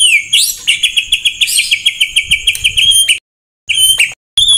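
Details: Full-fill 'tembakan kasar' shama song: a rapid repeated series of sharp, ringing notes on one pitch for three seconds, followed by two short similar bursts after pauses.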